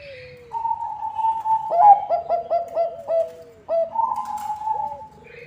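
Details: Zebra dove of the Bangkok type, its song used as a lure for other zebra doves: a long, steady, mellow coo, then a run of about five short clipped notes, then another drawn-out coo. Faint chirps appear near the end.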